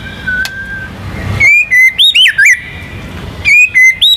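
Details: A contest-winning White-rumped shama sings to draw other birds into song: a long thin whistle, then loud looping slurred notes and short sharp phrases separated by a pause.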